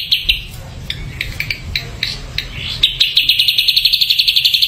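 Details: Ashy drongo song: scattered sharp chips that speed up into a fast, even series of high staccato notes, about four a second, with a low background hum.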